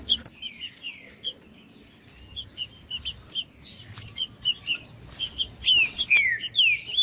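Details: Macheando-style song of a green-winged saltator, meant to stir other birds into singing: sparse chirps at first, then clear downward-slurred whistles near the end, with a steady high-pitched hum throughout.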